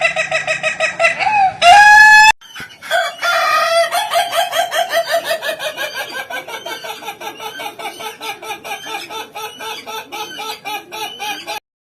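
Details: Rare Indonesian laughing chicken giving its unusual crow, said to sound like laughter: an opening crowed note, then a long series of rapid, evenly pulsed cackling syllables that slowly drop in pitch and continue for about nine seconds.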